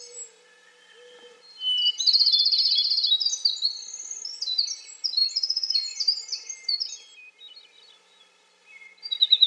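A winter wren pours out a long, rapid, high tumbling song of trills and bubbling notes lasting several seconds, over faint background hiss.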